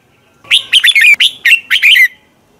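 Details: Red-whiskered bulbul song used for morning training: one rich phrase of about six quick warbled, slurred notes lasting about a second and a half, loud and clear against a quiet background.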